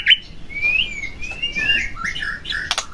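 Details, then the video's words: White-rumped shama singing to provoke another shama: sliding whistled notes wavering up and down, then a few harsher bursts near the end. "Pancingan Murai Batu Agar Bunyi Langsung Emosi Bongkar Isian"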